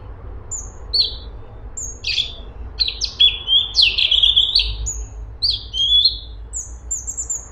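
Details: Cucak cungkok bulbul in energetic, continuous song: scattered high whistled slurs and short chirps, some rising and some falling, clustered in bursts with a steady low hum underneath.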